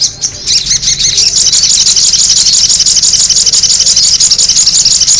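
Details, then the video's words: Sogon bird lure sound opening with a few separate squeaks, then building into a loud, steady, high-pitched chatter of rapid repeated notes. "the sound of the noisy sogon bird"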